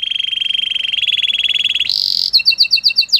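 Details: Canary song with a fast pulsing rolled trill, a brief high buzzy burst, then quick paired chirps.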